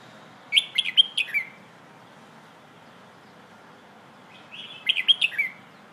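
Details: Red-whiskered bulbul singing in the 'phleng ho' song style, played to teach young birds: two quick phrases of bright, warbled whistled notes about four seconds apart, each a short burst of rising and falling slurs, over a faint steady background hiss.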